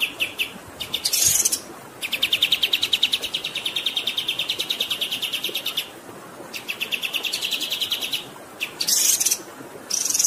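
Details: Kapas tembak bird song used for tutoring, fast rolling series of sharp chirps around a steady mid-high pitch, broken by short buzzy high bursts, over a constant hiss of flowing water.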